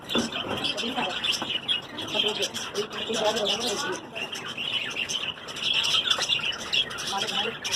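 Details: Breeding budgerigars keep up a dense, scratchy chatter of bright chirps and warbles from several birds at once.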